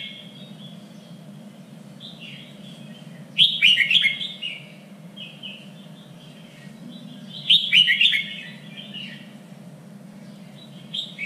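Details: Red-whiskered bulbul song used for training birds for singing contests: two loud bursts of warbled, slurred notes about four seconds apart, with softer whistled phrases between and a steady low hum beneath.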